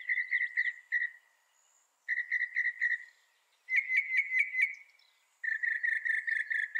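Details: Northern mockingbird song: bursts of rapid repeated notes near the same pitch, each phrase pattern repeated several times before switching, with short silent gaps between bursts.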